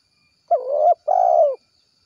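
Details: Spotted dove giving its 'kuk 1' gacor call to summon companions: a rough, wavering low coo followed after a brief gap by a longer, steady coo that drops in pitch as it fades. No other sounds.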